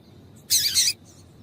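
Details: Female yellow-bellied seedeater (papa-capim) calling to make a male sing: one short, very high, harsh chirp lasting under half a second over a quiet, faint background.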